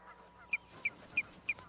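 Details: Osprey at a nest in Charlo, Montana, USA, on April 26, 2022, picked up by a live camera: four short, high whistled chirps spaced evenly about a third of a second apart over soft background hiss.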